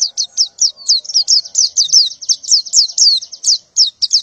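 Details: In the morning a female white-eye in breeding condition calls to males with a fast, continuous string of high, sharply falling chirps, some notes longer and slurred.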